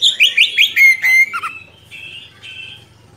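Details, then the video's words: Oriental magpie-robin, a strong singer used as a tutor for young birds, singing a burst of rapid whistled rising and falling notes, then a sustained whistle, before fading to faint softer phrases. "Kacer Gacor Ngerol Panjang Cocok Untuk Masteran Kacer Muda"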